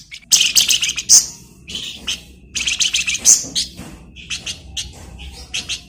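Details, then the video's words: Singing flamboyan bird, recorded as a master song for training magpie-robins: loud, jumbled high twitters and sharp chirps packed closely together, easing into lighter, evenly spaced chips. "Flamboyan Gacor Bagus'Buat Masteran Burung Murai"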